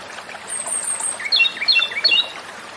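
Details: Japanese robin (komadori) song heard fainter: a high drawn whistle, then a few rapid falling ringing notes partly masked by broadband background noise.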